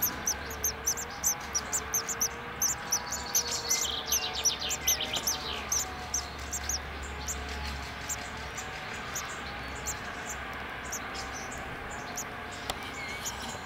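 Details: Great tits (Parus major), filmed on day 2, give rapid, thin, high chirps, about two or three a second and uneven in pace, over a faint steady low hum.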